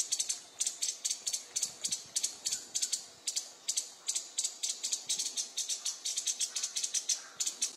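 A Streak-breasted scimitar babbler gives a dry, harsh chattering rattle of high, scratchy notes, about four or five a second, running on steadily.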